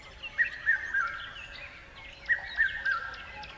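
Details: A bird gives a clear three-note whistled phrase, repeated twice about two seconds apart, over soft background twittering from other birds.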